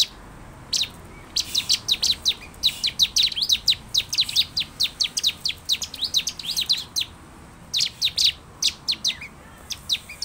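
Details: Lure song of the bar-winged prinia for caged birds: long, fast run of crisp, high chirps, irregular clusters separated by short gaps, with a clean quiet background.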